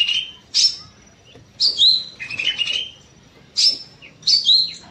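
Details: Evening song of a bulbul in an aviary: separate high, sharp whistled phrases, some falling and some trilled, every second or so, with quiet gaps between them.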